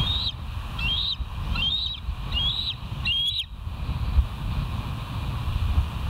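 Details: Bald eagles filmed by a live nature cam at West End on 27 August 2023 at 07:00: a series of five high, piping whistled notes, each rising then falling, repeated quickly about every 0.7 seconds over constant low wind rumble.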